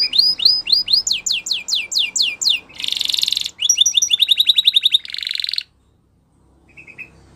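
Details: Canary singing Spanish Timbrado training song: loud repeated downward-sweeping whistles, a buzzy metallic roll, a fast clipped trill, then another dense roll before the song stops, leaving near silence with a faint short note.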